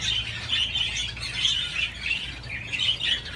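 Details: Pet budgerigar on a swing chirping in short bursts roughly every half second, each a rasping, twittering phrase, with a faint background hum.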